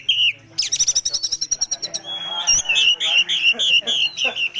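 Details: Oriental magpie-robin with a luxurious, full repertoire in trotol style: a fast, rattling run of sharp high notes, then clear whistles and varied rapid chattering phrases.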